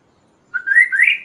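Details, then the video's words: Kaso-kaso song used for training and luring other birds: a single clear whistled phrase of two rising, slurred notes, the second brighter and higher, over a quiet background. "suara Burung Kaso-Kaso gacor|| masteran dan raja pikat burung lain"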